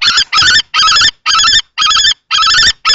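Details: At a Théding nest box on 20 March 2024, an adult male common kestrel confronts a younger male over the site, with a female nearby. Long, loud, wavering piercing notes come in steady pairs of bursts, about two per second.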